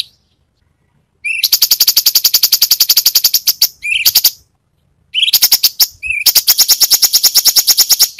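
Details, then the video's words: Cucak cungkok delivering varied rapid-fire song phrases: short high note followed by long, fast, harsh rattling bursts of evenly spaced pulses, two such phrases separated by a silence. "Cucak Cungkok burung masteran Full variasi Tembakan"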